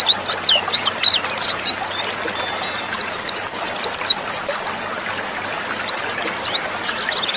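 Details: Female white-eye voice used as a lure to provoke male white-eyes into singing quickly, as in the wild: a rapid run of thin, high chirps and short slurred whistles, many notes per second, in bursts with brief pauses, over faint low hiss.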